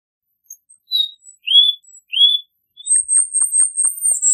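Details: Cuban bullfinch (negrito cubano) singing: a few short high whistles, then two rising slurred whistles, then a fast buzzy high trill with faint lower clicks.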